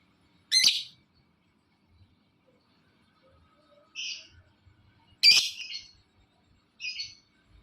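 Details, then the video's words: Lovebird call meant to provoke other lovebirds to join in: two loud, sharp chirps alternating with shorter, softer double-toned notes. "Suaranya Memancing Labet lain Ikut Bunyi"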